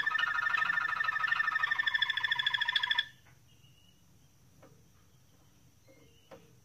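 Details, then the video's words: Moroccan Malinois canary singing a dense rolling trill with layered tones for about three seconds, then falling silent apart from faint room clicks. "تغريد جميل لكناري مالينوا مغربي"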